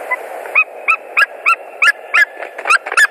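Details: White-tailed eagles at a nest in Latvia, 13 February 2020, afternoon, as the male arrives: a rapid yelping series of about nine sharp, ringing, slightly rising notes, roughly three per second, with a steady low hum behind.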